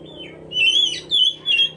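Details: Oriental magpie-robin song played as bait to provoke other birds into singing: three loud, clear whistled phrases with slight warbling inflections, each under half a second, rising above a faint low hum.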